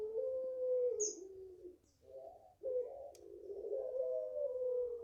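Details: Garden-raised puter pelung, a Barbary dove aged five months, coos at length: a level note dropping at its end, a short break, then a rising, wavering coo held to the end, plus a brief high chirp from another bird.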